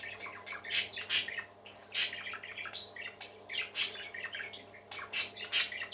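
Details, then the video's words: Several happy parakeets singing together, a busy run of scratchy squawks and bright chirps packed closely in uneven bursts, some notes shrill and piercing, over a faint constant hum. "Happy Parakeets Singing"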